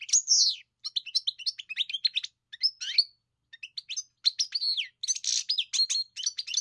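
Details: European goldfinch song opening with a drawn-out nasal note, followed by quick chirps, buzzy trills and tinkling twitters in bursts with small gaps; clean background.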